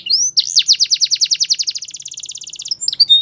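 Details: Canary delivering one long rapid trill of even rolled notes lasting over two seconds, introduced by a rising whistle and closed by short chirps.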